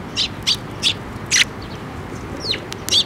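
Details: Sparrows flying in to be fed on a bridge over water at a shrine, 5 May 2024: short bright chirps spaced about every third of a second, a louder burst near the middle, then thinner rising notes, over a low steady background hum.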